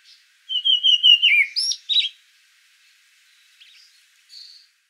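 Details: Karoo thrush singing in a garden in Johannesburg: a brief clear whistled phrase with a run of quick high notes sliding down, then two sharp upslurred notes, with faint softer notes after.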